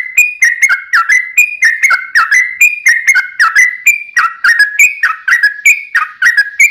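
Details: Sooty-headed bulbul in continuous 'ropel' song as a lure for other bulbuls: rolling, liquid whistled phrases that step up and down in pitch, about two phrases per second, running without a break.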